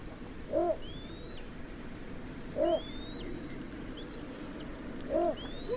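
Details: Repeated low barking croaks of a Little bittern, three in the clip at intervals of about two seconds, interleaved with a faint, thin whistled phrase from another bird and soft background noise.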